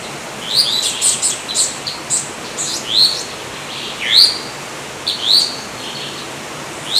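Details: Yellow-olive flycatcher: short, high rising notes repeated at irregular intervals, some sharp slurred upward calls standing out, with other high chirps and a steady background hiss.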